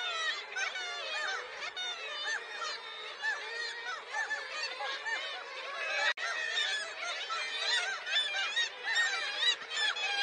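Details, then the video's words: A dense chorus of seagulls in a winter landscape, with many overlapping harsh, laughing and mewing calls rising and falling without pause. "Natural Sound Seagulls"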